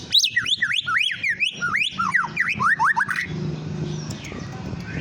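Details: White-rumped shama song for luring and provoking other birds: loud, fast, varied whistles sweeping sharply up and down for about three seconds, followed by a low hum and quiet background.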